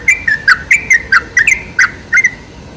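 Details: Sooty-headed bulbul lure recording, made to provoke other bulbuls into singing: short bright chirped notes with sliding pitch, about nine in under three seconds, spaced by brief pauses, over a quiet background.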